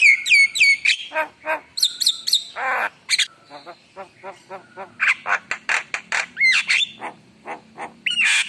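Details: Javan myna, a gacor songbird, singing an emotional, richly filled song: rapid harsh chattering notes mixed with clear rising and falling whistles, bursts repeated several times a second.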